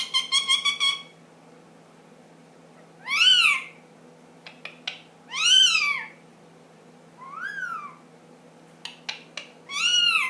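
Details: Ten-month-old pet ring-necked parakeet making funny sounds: a rapid pulsed stutter, then four loud arching squawks roughly two seconds apart, with sharp clicks in between.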